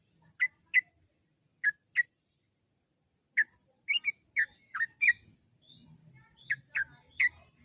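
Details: Lure song of a sooty-headed bulbul, played to coax a kept bird into daily song: short, scattered whistled notes in pairs and small clusters separated by silent gaps, with a faint steady high hiss and soft low rumbling toward the end.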